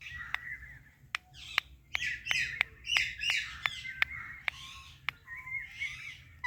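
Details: Ringneck parrot chirping continuously: harsh, buzzy squawks and chatter run together, punctuated by sharp clicks at irregular intervals throughout.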